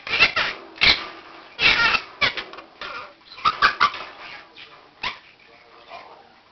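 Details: Crackers, a one-year-old male Quaker (monk) parakeet, gives his 7 am wake-up call indoors, practising learned words and phrases in short scratchy speech-like bursts about every half second, other birds joining. Monk parakeet.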